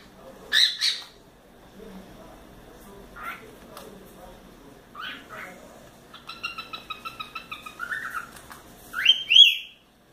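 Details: A four-month-old pet cockatiel playing on its playground and swing, giving scattered sharp chirps, then a run of clear whistled notes near the end, with quiet indoor background.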